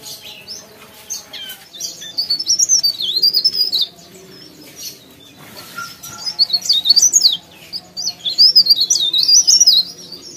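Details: Actively singing leaf warbler (cikrak daun) delivering quick, squeaky, high-pitched warbled phrases in two main bursts of about two seconds, separated by quieter gaps, over a steady low background hum.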